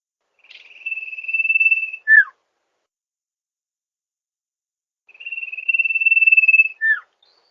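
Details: Sirpu, also called sirdung, singing in a recording played as a lure; a long, level, slightly buzzy whistle ending in a quick downward slurred note, given twice about five seconds apart with silence between.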